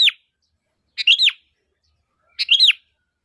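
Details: Sooty-headed bulbul calling to lure other bulbuls: clear phrases of a sharp note followed by a bubbly downward-curving whistle, about every 1.4 seconds, against silence.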